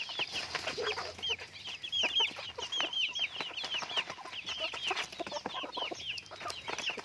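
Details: Pet chickens produce a busy chorus of bright, high peeps, each note rising then falling, packed closely together with scratching and tapping noises throughout.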